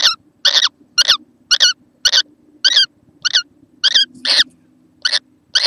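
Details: Little kookaburra recorded 6 November 2014, uttering quick squeaky notes about twice a second, some doubled in close pairs, over a faint steady background hum.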